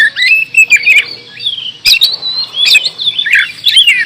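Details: Oriental magpie-robin delivering harsh, scratchy notes and warbled whistles in uneven bursts, with a few sharp clicks between phrases.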